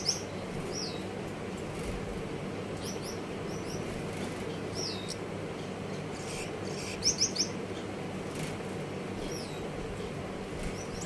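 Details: Gouldian finches in an aviary give short, thin, high-pitched calls, some curving downward, scattered every second or two, with a quick triple burst near the end, over a steady low hum.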